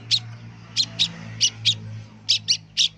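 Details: Young long-tailed shrike learning to sing gives eight short, high, scratchy chips at irregular intervals over a steady low mechanical hum.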